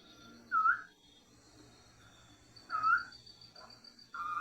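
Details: Short-tailed Nighthawk, a crepuscular Brazilian nightjar common in forest and some urban areas, gives three loud, slurred rising-then-falling whistles about two seconds apart over a faint steady high insect hum.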